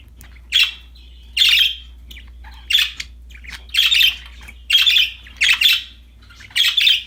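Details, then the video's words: Pet budgerigars, described as happy and playing with a new toy, give bursts of harsh, scratchy chirps and squawks about once a second, separated by short quiet gaps, over a low steady hum. "Happy budgies chirping for lonely birds, singing, playing with a new toy"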